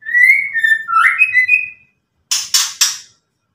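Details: Rich warbled whistling from a white-rumped shama, a rising note and fluid slurs, followed after a pause by three harsh rasping bursts typical of ketrekan.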